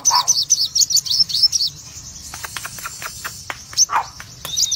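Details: Crimson sunbird of the cremino red-eyed form delivering a rapid burst of bright, high, slurred notes in full ngobra style, trailing off into scattered sharp ticks and a last few high phrases.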